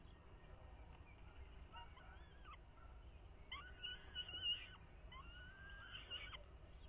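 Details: Young falcons in the nest during a 2023 feeding by the male, their first days learning to eat alone. Several strained, whining begging notes, some overlapping, the middle burst louder and harsher, over a low steady hum.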